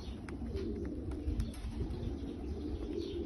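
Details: A short stretch of low, rolling coos from Bulgarian pigeons, overlapping in a soft steady drone with a few faint taps.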